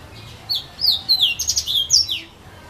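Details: Yellow-fronted canary singing in casuarina trees at Saint-Philippe, Réunion: a quick run of high, sweet, slurred whistles, some rising and some falling, bunched into a lively phrase.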